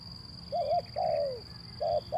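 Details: Male zebra dove in Indonesia, calling as a lure to prompt reluctant birds to sing; short clear coos, one long falling note between them, over a steady high electrical whine.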